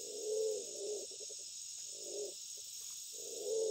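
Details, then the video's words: A male black-naped fruit dove calling for a female as the breeding season arrives gives soft, low, hollow hoots, each under a second, about every one and a half seconds, over a steady high insect drone. "Burung Walik Bondol Nguku memanggil betina di ketika musim bertelur tiba"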